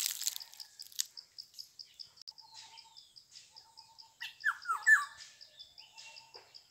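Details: A Black-hooded oriole, a yellow bird with a black head and throat, gives a quick run of three falling, slurred notes midway through, against a constant rhythmic trilling of insects.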